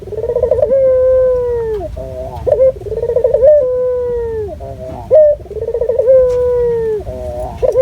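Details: Barbary dove of a local strain, recorded as a lure to set other doves calling. It gives three rolling coos, each a bubbling tremolo leading into a sustained, slightly falling hoot, with short throaty notes between them.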